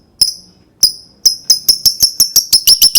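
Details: Lovebird calling, with sounds used to prompt other lovebirds to sing: sharp, high, ringing chirps that start spaced apart and then speed up into a quickening run of evenly repeated notes in a quiet room.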